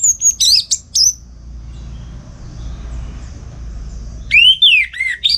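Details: Orange-headed thrush kept at home in Singaraja, North Bali, singing loudly in the morning in the lively ngeplong style, used to prompt and tutor other songbirds: clear, sliding whistled phrases at the start and again near the end, separated by a quiet pause.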